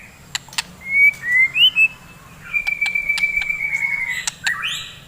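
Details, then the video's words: White-rumped shama singing in the morning, used to rouse fighter shamas: long, level whistled notes near one pitch, a few short rising slurs, and sharp clicks over a faint low hum. "KICAUAN GACOR,, DI PAGI HARI,, MEMBANGKITKAN MURAI BATU GACOR FIGHTER"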